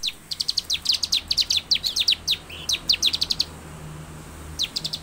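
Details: Bar-winged prinia song, meant to get caged birds singing quickly: a fast rattle of high, sharp chirps for three seconds, a pause, then a few more notes.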